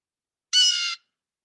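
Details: A Blue Jay in spring in Peterborough, Ontario gives one harsh, nasal "jay" call, the sound it is named for, about half a second long, a rough, scratchy squawk in otherwise quiet surroundings.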